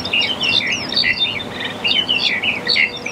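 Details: Black-collared starling chattering loudly and without pause, with rapid bursts of harsh, squeaky notes and slurred whistles rising and falling, some in quick clusters.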